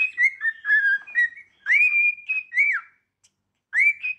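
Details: Cockatiel singing indoors: quick run of short whistled notes, then a long rising held whistle and a bent falling slur, a pause, and another rising whistle.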